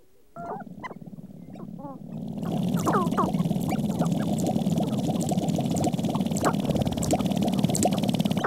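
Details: Several displaying sharp-tailed grouse, wings spread and tails raised, give a few clucking, chevron-shaped calls, then continuous low hooting over a rapid, dry rattling of stamping feet.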